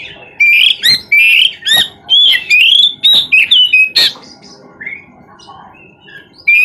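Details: Oriental magpie-robin singing without pause: a fast string of loud whistled notes, rising and falling slurs and sharp chips, followed by softer quiet notes before the song resumes.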